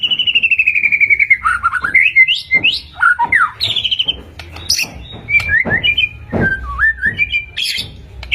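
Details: White-rumped shama song used as a gacor lure to get caged shamas to respond: rich whistled phrases sliding down and up, interspersed with sharp clicks, fast chattering bursts and high ringing notes.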